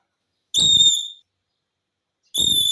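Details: Pet talking parrot, said to say "mummy" indoors: two pure, steady, high whistled notes with a rough, noisy onset, the first lasting about half a second, the second coming nearly two seconds later.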